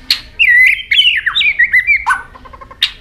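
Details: White-rumped shama with a continually flicking tail, singing a fluent run of whistled, warbling notes that twist up and down, followed by a short stuttering trill and a final sharp click.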